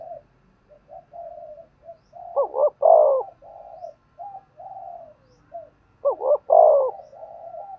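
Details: Spotted dove used to train decoy birds, cooing: soft low coos alternate with two loud phrases of a quick double note and a long sliding coo, about three and a half seconds apart.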